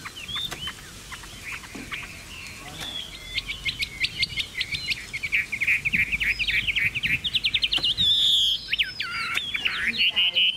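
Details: Captive Chinese hwamei from a Vietnamese bird seller, delivering rich song: quiet scattered notes, then fast bursts of clear repeated whistles and trills that rise in loudness, with one long pure whistle near the end.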